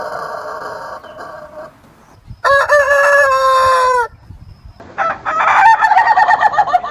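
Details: Farm rooster giving a loud crow of about one and a half seconds, harmonic and slightly falling at the end, between fainter crowing from other roosters before and after.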